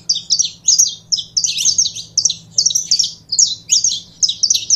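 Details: Continuous high-pitched chirping song of a saffron finch, short sharp notes grouped in rapid clusters with brief pauses, faint low hum behind.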